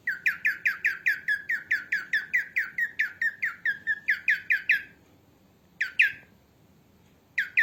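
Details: Female cockatiel voice for training cockatiels: around twenty rapid, grating, descending squawks delivered evenly for five seconds. After a silence come two isolated squawks, then a third at the end.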